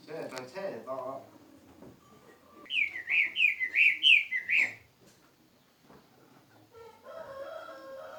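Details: Caged pet songbird singing a quick run of about six bright whistled notes, each rising then dropping, evenly spaced over two seconds, with softer chattering and murmuring sounds before and after.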